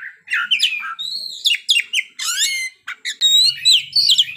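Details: A kacer, or Oriental magpie-robin, sings openly through its stock of isian: loud slurred whistles, a quick stuttering series of rising notes and sharp chips, separated by very brief gaps.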